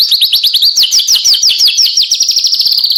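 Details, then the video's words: White-rumped shama training song for captive birds, 2024: a rapid series of sharp, buzzy notes repeated about three times a second, each sweeping slightly, continuing evenly throughout without other sounds. "MASTERAN MURAY BATU 2024"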